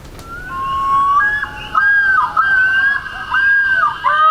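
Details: Common Loon, recalled from camping in Vermont or New Hampshire and noted as passing through Pennsylvania: long, pure, wavering wail rising and holding, then breaking into looping yodel-like inflections, clear against a quiet background.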